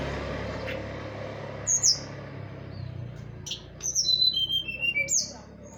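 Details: Horsfield's bush lark song used as a lure to get reluctant larks singing. After a quiet start, sharp high whistles are followed by a clear stepped series of descending whistled notes, over a faint low rumble.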